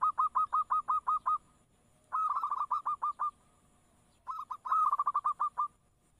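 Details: Local perkutut, the zebra dove, delivers a steady series of eight evenly spaced cooing notes, then two quicker rolling trilled phrases separated by a short silence, played to coax other doves into replying.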